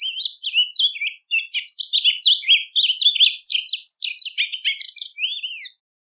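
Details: A rusty-collared seedeater delivers a training song: an unbroken flurry of rapid chirped, twittering notes mixing rising and falling slurs, ending with a downward-curving whistle.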